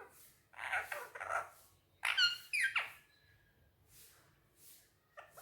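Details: Pet Indian ringneck parakeet talking in Urdu/Hindi while on a table indoors: a few harsh, voice-like syllables, then a burst of bright chirpy notes with sharp harmonics, a short flat whistle, and a last clipped squawk.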